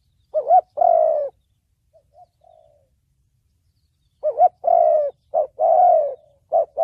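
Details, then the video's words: Low, soft spotted dove coos in the 'thổ bầu' voice used for trapping lures and decoy training: one two-part phrase, a long pause with faint notes, then a quicker run of short and long coos. "Tiếng chim cu gáy giọng thổ bầu chuẩn âm mới nhất, kích bổi,đi bẫy, tập mồi"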